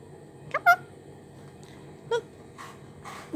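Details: A male pet Indian ringneck parakeet chatters to itself in a few short bursts, saying phrases like "be a good boy": quick rising tonal notes mixed with softer scratchy, speech-like mumbling, spaced over a couple of seconds.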